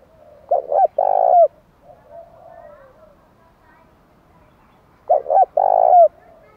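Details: Spotted dove cooing to provoke wild doves into a fight, so that even stubborn wild birds answer. Two phrases about five seconds apart, each with quick paired low coos and then a longer rolling coo ending in a short upslur. Faint murmuring between phrases.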